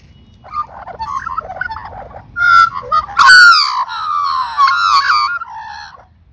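Australian magpie song: rich, fluting warbles with gliding slurs and harsh edges, building from soft notes to a louder burst of overlapping phrases.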